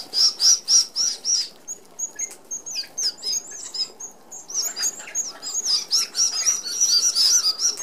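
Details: Red-browed finches, native to Australia, feeding as a flock at an aviary feeder; a run of sharp, high, evenly spaced squeaks, about four per second, pauses briefly, then resumes as a dense chorus of thin piping calls.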